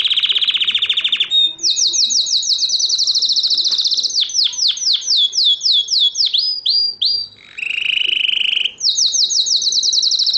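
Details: Caged canary singing in Morocco, 2012: a rapid high trill, then a fast run of sharply descending swept notes, a lower buzzy rolling trill, and a return to quick high repeated notes, continuous and loud.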